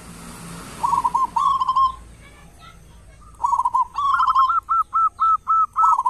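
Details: Zebra dove, local perkutut kept as a morning and evening lure bird; soft rolling coos build into a long series of evenly spaced clipped notes, about two per second, over faint background hiss.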